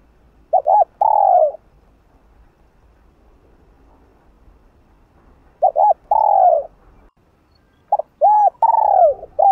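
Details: Spotted dove cooing repeatedly to provoke another dove, in the call, urge and gu pattern: three phrases several seconds apart, each a pair of short hollow coos and a longer falling coo. The last phrase is more run together.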